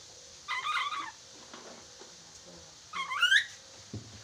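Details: Chattering lory in a talk-training recording: two harsh, buzzy squawks about two and a half seconds apart, the second rising sharply, with faint room noise and a click at the end.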